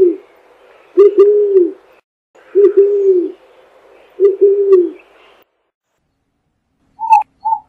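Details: Song of an eared dove, Zenaida auriculata: three low, mellow, double-pulsed coo phrases about a second apart over a faint background hum, then two brief higher notes.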